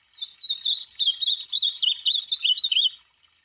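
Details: Ultramarine grosbeak, free-living, singing a continuous warbled phrase of about three seconds: quick, slurred, rising and falling notes at a fairly high, steady pitch, delivered with no gaps and followed by silence.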